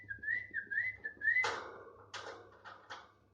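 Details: Tame thick-billed heleia singing actively: a run of wavy whistled notes at a steady mid pitch, each rising then dipping, followed by several harsh, broad noisy bursts and a low background hum.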